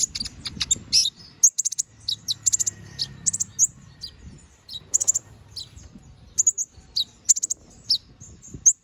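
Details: Canary singing in the 'gacor ngobra' style, a master song for magpie robins: fast runs of high sharp chirps and rattling bursts, broken by short pauses, then resuming in quick clusters toward the end.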